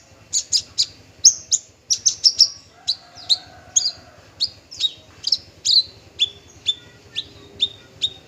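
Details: Male bushlark of the parva form delivering a long run of crisp, high, down-slurred notes, rapid and clustered at first, then settling into an even beat about twice per second. Low hum in the background.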